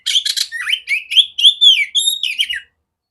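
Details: Female oriental magpie-robin with a big, clear voice, used to train other magpie-robins: a quick run of scratchy chirps, then sweeping whistled notes, rising and falling, about two and a half seconds before silence.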